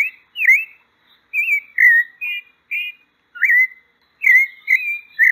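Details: A pale-breasted thrush from Brazil gives a varied series of whistled phrases: fluty slurs, a few quavering notes and longer level whistles, some run together near the end. Nothing else is heard.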